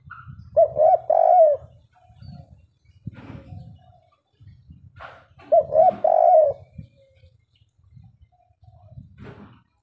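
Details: Tekukur, the spotted dove, a native wild bird singing in "kuk 3" style. Two hollow three-note coo phrases come about five seconds apart, the last note longer. Soft rustles and scattered clicks are heard in the background.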